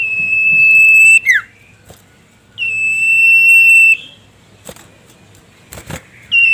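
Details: Common iora, sirtu type, calling a rival: two long, steady, high whistles, each over a second long. The first ends in a downward slur. Short knocks are heard between them.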